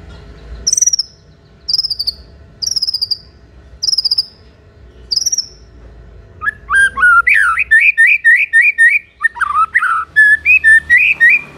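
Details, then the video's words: Energetic white-rumped shama song used to make other shamas answer and turn aggressive: five thin, high squeaky notes about a second apart, then a rapid rich stream of warbled, looping whistles. "MURAI BATU GACOR , DIJAMIN MURAI MANAPUN AUTO NYAUT DAN NGAMUK SEKETIKA"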